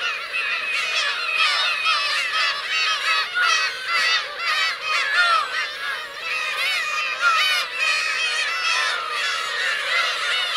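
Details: Parent and chick Black-tailed gulls on Teuri Island's Kurosaki coast, Hokkaido, June 17, 2021: a crowded din of drawn-out, curving, cat-like wails from numerous gulls overlapping steadily throughout.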